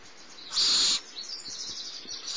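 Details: Barn owl owlet, the smallest in the brood, being fed by the adult female at Starr Ranch on 6 March 2011 around 10:30 am; one loud, harsh hissing screech of about half a second, followed by faint high rasping.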